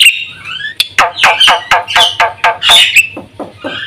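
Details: Black-winged myna in vigorous full song, used to lure and train caged birds: a varied jumble of harsh, descending squawky notes mixed with short whistles and clicks, loud and irregular.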